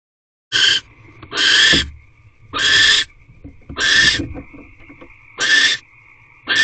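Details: Barn owls in an owl box, a male visiting the female around midday on 21 March 2023, possibly mating as the female calls. Harsh broadband hissing screeches in bursts about once a second, with a steady high whine running between them.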